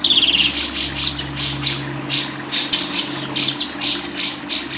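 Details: Lovebird keeps up fast, scratchy chattering in short pulses, with a thin rising whistle near the end, over a constant low mechanical hum, from a training recording for songbird keepers.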